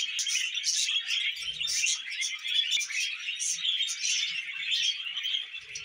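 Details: Lively budgie chatter, a dense mesh of high chirps and grating warbles with regular louder tweet bursts, and a brief soft thud early on.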